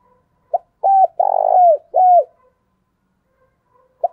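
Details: Decoy call of a spotted dove used to draw in other doves: one short note, then a coo, a long vibrating middle note, and a falling final coo, followed by silence and another short opening note.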